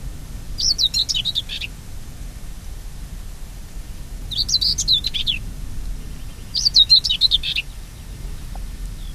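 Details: Common whitethroat singing in the Oldenburger Land, northwest Lower Saxony, Germany, in open country with hedges and scrub: short scratchy, chattering phrases of quick high notes repeated about every three seconds, over low rumbling background noise.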